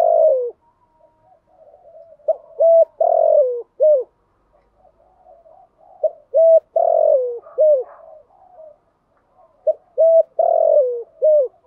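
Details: Spotted dove lure calls for attracting wild birds: three phrases, each two clipped low notes, a long sliding coo and a short final note, spaced about three seconds apart with quiet murmured cooing in between.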